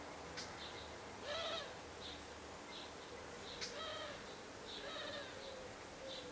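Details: Wren nestlings in their nest, recorded 15 August 2011, giving repeated short harsh chirps with layered tones, in bursts roughly every second, set against steady background hiss.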